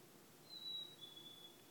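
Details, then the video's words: Black-capped chickadee, called the cheeseburger bird, gives a faint, pure two-note whistle, the first note held higher and the second slightly lower, against quiet background hiss. "Cheeseburger Bird"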